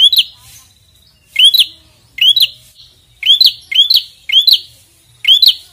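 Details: A red-headed prinia sings hard against a rival. Loud, upswept chirp notes come in doubles and triples with a rasping high overtone, in bursts separated by brief pauses.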